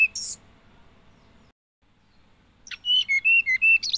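Hill blue flycatcher singing a quick run of sweet, high whistled notes that dip and rise, after a brief opening chirp and a pause.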